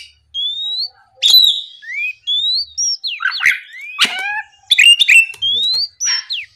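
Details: Energetic morning song of an Oriental magpie-robin, meant to trigger rival birds: a steady series of rising whistled slurs mixed with dry clicks and rough buzzy notes, phrases following each other quickly.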